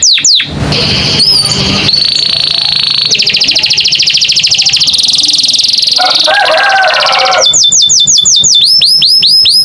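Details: American canary in varied, melodious song: long buzzy trills and rapid rattles, a lower warbled passage, then a series of quick down-slurred whistled notes.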